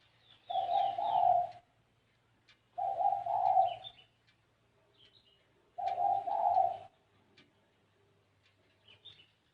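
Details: Spotted dove giving the unusual 'gáy gù kích bổi' style of cooing: three separate drawn-out, hoarse low coos about two and a half seconds apart, with faint high chirps from other birds between them.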